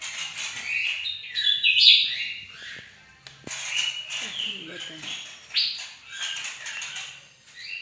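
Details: Bright-morning bird-of-paradise singing energetically, with fast varied whistles and buzzy trills in continuous bursts. Faint low voices and a single sharp click can be heard in the background.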